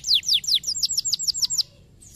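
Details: Canary song used to set other canaries singing: ten or so bright whistled notes sliding downward in a quick even series, ending abruptly in quiet.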